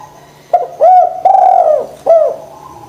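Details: Spotted dove, a bird kept to be coaxed into calling when lazy, giving three loud coos near 700, the middle note long and slightly falling, each a smooth rounded hoot with a quick upslur at the start.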